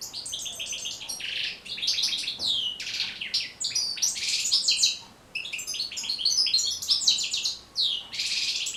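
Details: Goldfinch singing, played to train other goldfinches to sing: dense, liquid twitters and bright buzzy trills in rapid bursts, with short breaks between phrases.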